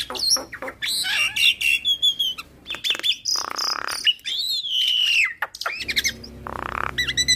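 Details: Javan myna in full song with mimicry fill-ins, a master recording meant to make other mynas sing: jumbled whistles and harsh buzzy squawks, a long falling whistled note, then more chattering notes.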